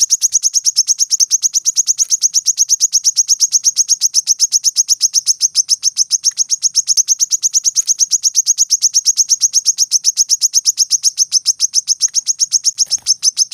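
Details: Unbroken machine-gun stream of high, sharp chips from a brown-throated sunbird, several per second and very regular for over thirteen seconds, the tembakan rapat style for tutoring caged birds.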